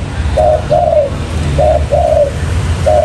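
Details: Spotted dove coos used as a trapping lure: two paired low notes, short then long and slightly falling, followed by a single short coo, set against a low background drone.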